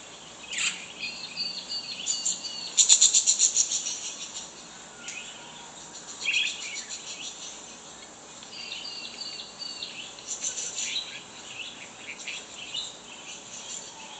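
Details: Budgerigar; contact calls; answering other budgies' calls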